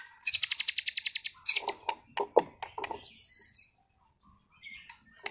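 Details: Competition-class caged white-rumped shama from Sragen in full song: a rapid series of about a dozen sharp high chips, then harsh lower notes and a buzzy trill, followed by a quiet pause.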